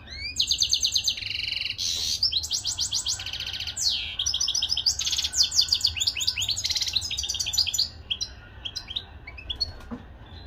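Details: Native Moroccan European goldfinch delivering a long, rich song of rapid tinkling trills, twangy buzzes and swooping whistles strung tightly together, tapering into sparse single chips near the end.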